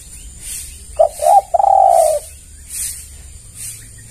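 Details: Lure call of a spotted dove used to make other doves answer: two quick clipped coos, then one long sustained low coo. A faint pulsing hiss repeats behind the call.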